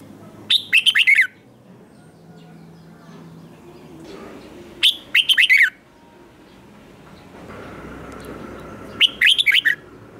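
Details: Competition song of a red-whiskered bulbul, three evenly spaced phrases of fast, bright slurred whistles roughly four seconds apart, with quiet hiss between.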